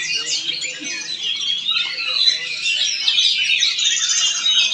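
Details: Oriental magpie-robin from Palangkaraya, Central Kalimantan, kept in a cage, pouring out rapid, varied warbling with sharp chirps and trilled phrases that flow without pause.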